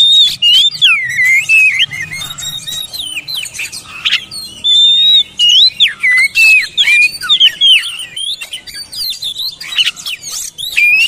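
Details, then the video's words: Long, energetic oriental magpie-robin song played to make reluctant birds answer in open song: dense run of sliding whistles, chirps and buzzy notes, barely pausing throughout. "TERAPI MASTERAN BURUNG KACER BISU MALAS BUNYI"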